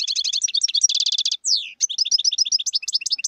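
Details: Wild European goldfinch in continuous song: rapid tinkling twitters and a tight buzzy trill, one brief pause, then a long falling whistled slur, followed by more varied, jangling high chirps.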